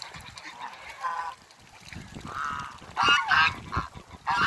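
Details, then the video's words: Backyard Toulouse and African geese: scattered honks at first, then a long drawn honk, followed by a burst of overlapping, harsh, brassy calls toward the end. "TOULOUSE GEESE VS AFRICAN GEESE IN THE BACKYARD"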